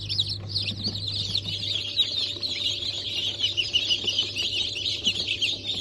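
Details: Newly hatched chicks of Brahma, Sultan, Sussex and Wyandotte breeds, hatch dated 28 January 2024, peep in a dense, continuous high chorus of short, shrill notes, with a steady low machine hum underneath.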